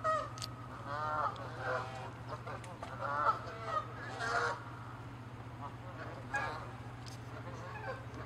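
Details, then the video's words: Canada geese fighting, chasing and attacking in a territorial dispute; bursts of wavering, quavering honks in the first half, then scattered single calls over a low hum. "Geese fighting & honking loud sounds"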